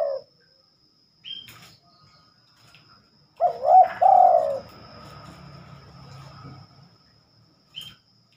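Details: Night-time song of a spotted dove: the tail of one coo, then a full phrase of a bent rising note and a drawn-out falling coo, over a quiet low rumble and brief high squeaks.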